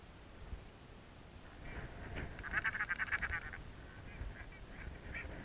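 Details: Tristan albatrosses in a love triangle on Gough Island during their courtship love dance display; one burst of rapid, pulsed, nasal braying calls lasting about a second, fainter calls before and after, over steady low wind rumble.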